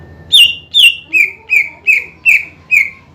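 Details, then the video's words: Greater green leafbird gacor song used to rouse rival birds: seven loud, regularly spaced whistled notes, each with a sharp start and downward slur, about two per second. "PANCINGAN CUCAK IJO GACOR MEMANCING EMOSI LAWAN AGAR RAJIN BUNYI"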